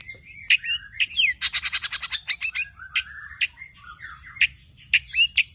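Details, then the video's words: Tame singing long-tailed shrike with a rich borrowed-phrase repertoire, meant to get other birds singing: thin whistles and downslurs, a dense stutter of about ten rasping notes, then spaced sharp chirps and short rising whistles on a quiet background. "BURUNG CENDET JINAK GACOR JUARA SUARA FULL ISIAN NEMBAK"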